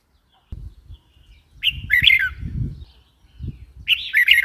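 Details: Red-whiskered bulbul calling two lively, slurred chirping phrases, the first falling at its end, over low rumbling background noise.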